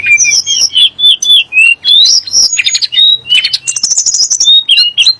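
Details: Sunda blue robin, locally tledek gunung, singing a song meant to provoke kacer and muri birds. Varied clear whistles mix with buzzy chattering bursts and a dense high trill near the end.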